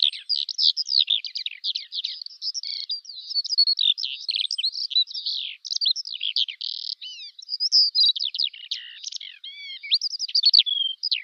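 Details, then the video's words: Continuous Eurasian skylark song, a fast, jumbled stream of twittering notes, short trills and slurred whistles, sustained without a break over a clean, quiet background. "Жаворонок полевой (Alauda arvensis) *** Пение птиц"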